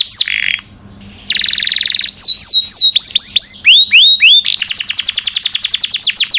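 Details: Canary long song meant for tutoring caged birds, mixing a harsh buzz, separate looping whistles and a closing rapid trill of bright repeated notes.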